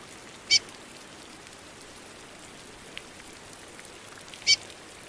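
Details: Curió female calling during rain, two brief high piercing chirps about four seconds apart, with constant rain noise between them.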